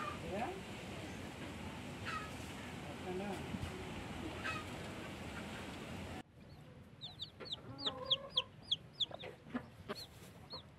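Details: Newly hatched chicks beside a blackish hen: a noisy hissing stretch, then a quick run of high, downward-sliding peeps, several overlapping, with an occasional lower hen note underneath.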